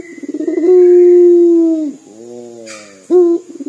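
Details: Local Barbary dove's dor coo, described as sounding like crying: a stuttered start flowing into one long, even, low tone that dips at the end, a soft purring phrase, then a quick rising note.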